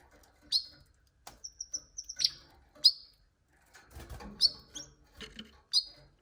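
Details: Canary giving a quick run of clear repeated high notes followed by sharp chirps, with a patch of rustling or fluttering noise in the second half.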